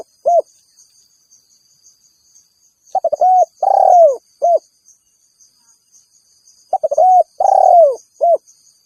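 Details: Spotted dove calling rivals, a sound used to draw in wild birds: a lone coo, then two phrases of quick stammered notes, a drawn-out purring coo sliding downward and a short final note, with silence between.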